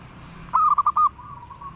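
Zebra dove song: a quick run of four soft, low cooing notes, then a longer, drawn-out coo that trails off, over quiet background.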